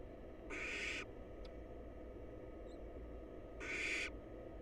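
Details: Two breathy, broadband screeching hisses, each lasting about half a second and nearly three seconds apart, come from wild barn owl young huddled together in a nest box waiting to be fed.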